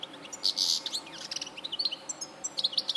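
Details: [2, 'Goldfinch song from Larache, 2014: a loud buzzy rasping phrase opens, then quick tinkling chirps and clipped twitters follow in a lively, uneven stream.']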